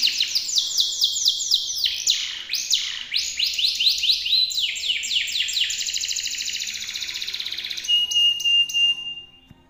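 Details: Local canary singing strongly with long duration, used as tutor song for songbirds: rapid high trills and sweeping rolled phrases run together nearly without pause, ending in a sustained buzzy trill and a pure whistled note.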